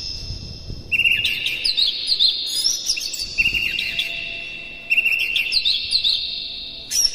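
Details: White-rumped shama lure song to raise another bird's excitement: repeated bursts of loud whistles and sharp chattering notes over a sustained high tone, a new phrase starting roughly every two seconds.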